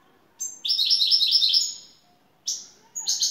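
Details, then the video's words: European goldfinch from Turkey delivering şakşaklı song as a top bird: a long run of rapid, ringing repeated notes, then two shorter bright bursts, the last a high sweeping note followed by quick twitters. "TR Baş kuşu 🇹🇷 Şakşaklı Saka kuşu"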